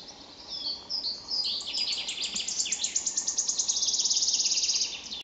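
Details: Wood warbler (Phylloscopus sibilatrix) sings: high, ticking notes speed up into a fast, shivering metallic trill lasting several seconds, with faint background hiss.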